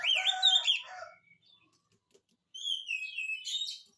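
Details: Oriental magpie-robin in full song, played to coax quiet birds into replying: a loud rich warbled phrase with harsher undertones, silence, then a clear descending whistle followed by bright chattering notes.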